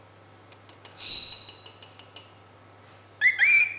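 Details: A talking lovebird says its own name, "Pepe", right after hearing it spoken: a short, two-part rising squawky chirp, following a run of soft clicks and a brief thin whistle.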